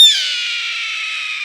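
A single hoarse, rasping scream from a Red-tailed Hawk: high and harsh, sliding slightly downward and held for over a second. Nothing else is heard.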